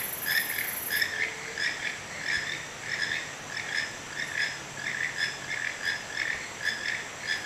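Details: Wild toucans calling beside a hotel porch in Santa Fe, Panama: rhythmic croaking notes repeated roughly every two-thirds of a second, over a steady hiss of insects.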